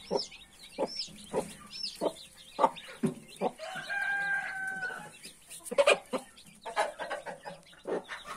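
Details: Brooding hen among 31 newly hatched chicks clucks in short low bursts, then gives a drawn-out, tonal, harmonic call in the middle, while the chicks peep shrilly throughout.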